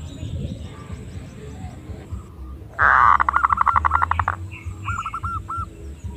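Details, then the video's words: Female zebra dove call of the kind used to lure birds: a sudden loud, rapid pulsed trill lasting about a second and a half, then a short run of clipped, evenly spaced cooing notes, over low steady background rumble. "Suara Pikat Perkutut Betina Paling Ampuh"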